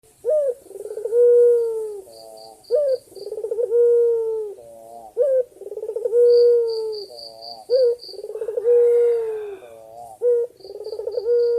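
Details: White ringneck dove, a male calling the female, cooing with energy: a short sharp opening note, then a low rolling, trilled coo that settles into a long steady hum, repeated about every two and a half seconds. A high, rapid beeping pulses in the background.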